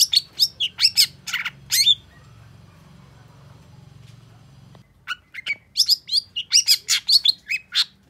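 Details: Long-tailed shrike answering a rival: a burst of harsh sharp notes, a pause of about three seconds, then renewed rapid scratchy chatter with whistled inflections.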